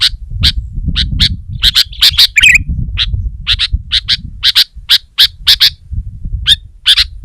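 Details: Sooty-headed bulbul in full song against a rival, firing loud clipped high notes in rapid runs with one short bubbly warble midway; steady low rumble underneath.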